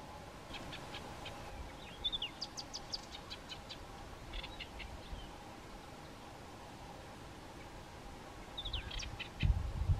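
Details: A Chestnut-vented warbler forages for insects in acacia trees, with several others nearby. It gives short, high clicking calls, then quick bursts of bright, rattling notes and a brief whistled phrase over a steady low background rumble.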